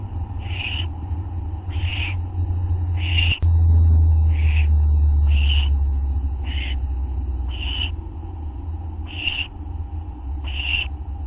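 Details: Owls of a group filmed on a live camera on August 24, 2011 at 11:04 PM: breathy, hissing screech bursts repeated about once a second, nine in all, over a steady low hum and one sharp knock.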